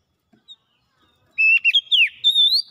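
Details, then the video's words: Kacer (Oriental magpie-robin) breaking into gacor song to show its isian: after a quiet start, a rapid sequence of clear whistles with falling and rising slides, ending on a long upward-sweeping note. "KACER MALAS BUNYI NYAUT GACOR BONGKAR ISIAN"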